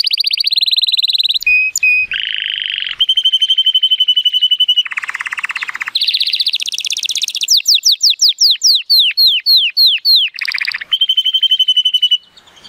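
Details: Timbrado Español canary, a male born in 2018 with an 83-point rating, singing on a sunny day: long varied tours of rapid rolling trills at shifting pitches, low bubbling rolls, a sweep of rising slurred whistles, and steady high trills.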